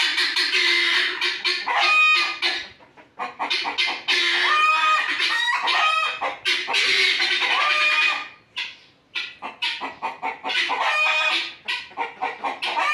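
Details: Grating, rhythmic fowl calls in quick repeated pulses with some clearer tonal notes mixed in, several birds possibly calling together in steady loud bouts.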